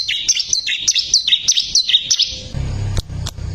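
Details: Bar-winged prinia singing actively for training caged songbirds: about two seconds of quick, high, slurred notes, some dipping downward, then the bird stops and a low hum with a few sharp clicks remains.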